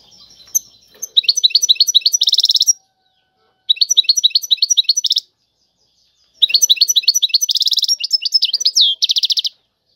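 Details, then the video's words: Three separate bursts of European goldfinch song in the tiwawati style, each a quick series of high twittering notes ending in a dense buzzy rattle, with silent pauses between them. "اعظم تغريد الحسون طيواواطي"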